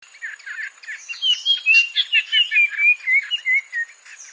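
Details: A bird sings a fast, busy warble of mid-high whistled notes and slurred phrases, running continuously with rhythmic pulses.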